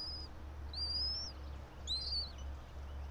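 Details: Nest camera at a bald eagle pair's pine-top nest about 90 feet up in Johnson City, Tennessee, 04.03.2024, 06:28: three brief, high, thin whistles, the last one broken and wavering, over a strong low hum.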